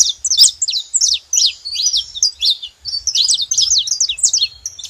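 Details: A group of saffron finches makes noise together, a dense run of shrill, zigzag chirps that barely pause, then dip briefly before surging again in a busy chatter.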